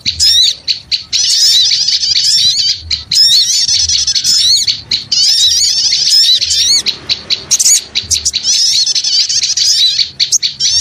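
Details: Lure sound of small birds in noisy chorus: waves of shrill, overlapping chirps and squeaky trills, each lasting a few seconds with brief quiet breaks between.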